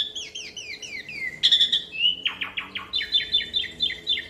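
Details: Asian pied starling in full, vigorous rolling song meant to prompt other birds to sing: descending slurred whistles, a harsh burst, then rapid chattering notes in quick succession over a faint steady hum.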